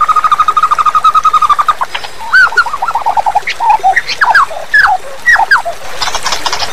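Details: White-rumped shama master song to condition young forest shamas: a steady trill of even, mid-pitched notes, then clear whistled phrases of short rising and falling slurs, over constant background hiss.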